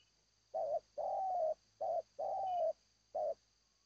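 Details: Five clear mid-pitched coos from a zebra dove; the second and fourth are drawn out and gently falling, the others short and clipped, spaced about half a second apart.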